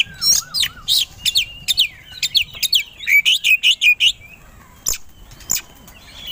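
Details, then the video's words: Kept white-rumped shama, a songbird entered in singing contests, singing aggressively when provoked: fast series of sharp rising whistles and chips, a rapid evenly spaced run in the middle, then a few isolated harsh notes. "Pancingan Kacer Agar Cepat Emosi Gacor 3 || Super Gacor Langsung Tarung"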